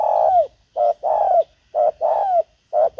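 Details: Loud, close spotted dove cooing in a decoy-luring session: rapid alternating short coos and longer, slightly falling coos, about one phrase each second.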